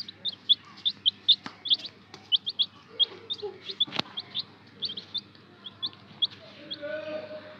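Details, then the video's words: Baby chicks peeping, kept in care: a steady run of short high peeps, roughly three or four per second, each a brief downward-sliding note, with one sharp knock near the middle and a soft low hum underneath. "Chicks care challenge ☆ chicken baby chicks ☆ murgi ke bache"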